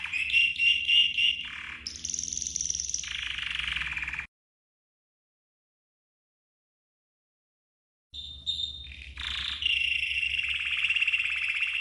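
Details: Red canary training song in bursts: a warbling rolling tour, a higher piping stretch and a lower buzzy trill, then a few seconds of silence before the trilling resumes.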